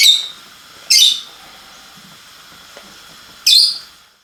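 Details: Three piercing, harsh lovebird calls, each a short buzzy screech, spaced irregularly about one to two and a half seconds apart over a quiet indoor background.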